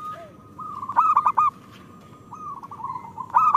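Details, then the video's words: Local Indonesian zebra dove song, a lure for birds that rarely sing; a long even trill, a clipped burst of loud rounded coos, a quieter trill, then another loud stuttered phrase. "Perkutut lokal gacor Pancingan Jitu 💯% Ampuh"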